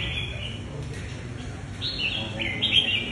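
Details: Red-whiskered bulbuls kept in cages compete in a song contest final, giving short clear whistled phrases that rise and fall, several overlapping toward the end, above steady low hum.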